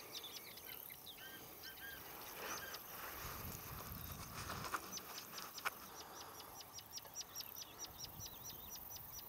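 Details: Anxious rufous-tailed scrub robins near fledglings confronted by a water snake, Shirvan National Park, Azerbaijan, 23 June 2013: a few arched notes early, then a long, even run of sharp clicks repeated about once a second, with a steady background hum.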